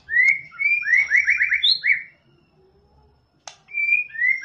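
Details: White-rumped shama song: smooth whistled notes leading into a fast rolling trill, a short silence broken by a sharp click, then more clear whistles.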